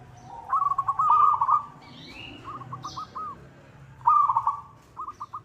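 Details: Local zebra dove calling to a rival, a sound used as a lure: bursts of rapid stuttering trilled coos, each phrase ending in a few separate clipped notes and repeated twice. Faint high bird chirps sit in between.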